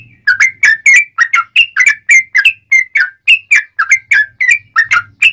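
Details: Yellow-vented bulbul in the ngobra style, a sharp, clear masteran song used as a lure for wild birds. Short bright whistled notes come in a steady stream, roughly three each second, some slurring downward.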